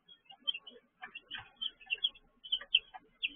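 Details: Chicks kept indoors in a brooder on an evening in June 2023 give rapid, thin, high-pitched peeps, several per second, mixed with light clicking and pecking sounds.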